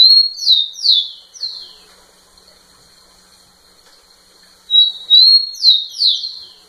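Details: Rufous-collared sparrow courting a female with song: a burst of descending whistled slurs, a long quiet gap, then the phrase again with rising level whistles before the falling pairs.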